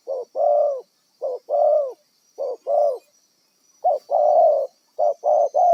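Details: Spotted dove of wild stock, kept as a lure for trapping, delivers a rhythmic series of two-part coos, a clipped note then a longer rough coo, about four pairs in six seconds.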